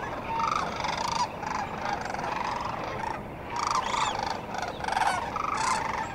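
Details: A dawn chorus of sandhill cranes at the Cosumnes River: rattling, trumpet-like calls rise and fall in clustered bursts. Other cranes answer nearby against a constant rural background wash.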